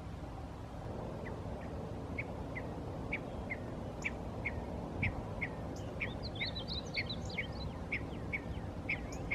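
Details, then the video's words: Male painted bunting calling at Rattlesnake Springs, New Mexico, May 6, 2016: a steady run of short metallic chips about twice a second, joined midway by a burst of fast, high, jumbled song notes, over low background noise. "Male Painted Bunting (Passerina ciris) Singing Calling"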